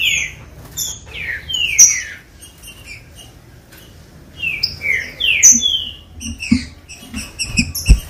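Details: Green-winged saltator song played to get captive birds singing: bright slurred whistled phrases falling and rising, in bursts, over a busy layer of sharp high chirps and brief ticks.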